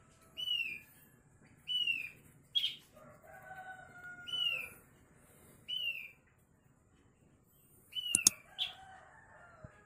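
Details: An Asian glossy starling gives strange-sounding calls: sharp, ringing, hooked whistle notes roughly once a second, with softer, lower drawn-out whistles underneath.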